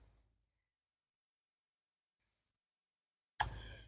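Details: Near silence broken by a single sharp click and brief rustle near the end.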